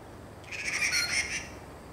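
A Taiwan blue magpie gives one harsh, raspy call about a second long, slightly wavering, over a quiet background.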